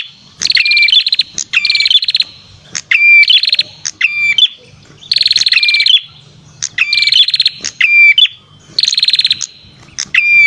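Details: Red-headed prinia used as a lure, delivering strident buzzy trills and crisp whistled notes in repeated phrases roughly every one to two seconds, loud and close, over a faint low hum.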